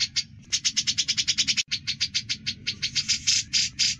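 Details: Grey-cheeked bulbul rattling out ngebren song, recorded at length for songbird training: rapid, slightly irregular high clicking notes with brief breaks, a low hum underneath.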